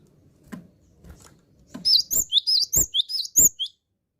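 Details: Gelatik batu, the cinereous tit, singing fluently (gacor): a rapid run of roughly nine bright, high whistled notes in paired up-down slurs, lasting under two seconds, preceded by soft tapping sounds.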